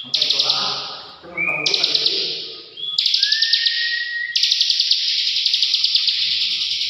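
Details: Buzzy, rattling ngebren song of a bar-winged prinia in four bursts, each with quick ticking pulses and a short whistled note; a low voice is heard in the first second.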